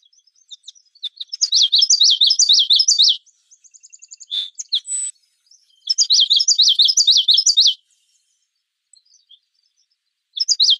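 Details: Common yellowthroat singing two loud bursts of rapid, repeated high phrases, each a quick rolling series of three-note units lasting about two seconds, separated by a few scattered chips and short tones, with a third burst beginning at the end.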